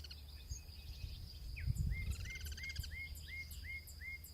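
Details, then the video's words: Guira cuckoo (pirincho) in its natural habitat, cross-singing: a string of short, hooked whistled notes repeated about every quarter second, starting faintly over a rattling series, with a low steady rumble of background noise. "El sonido del Pirincho: Cantos cruzados"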